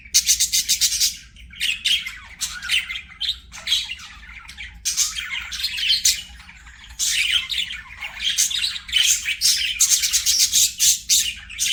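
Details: Several budgerigars singing and playing together: continuous busy chatter of scratchy warbles, squeaks and harsh chirps in overlapping bursts, with a low hum underneath.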